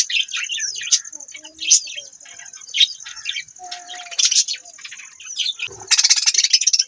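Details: Budgerigar warble of rapid chirps, squeaks and grating notes in bursts, with one brief low whistle and a harsh buzzy rattle at the end, over a steady high whine.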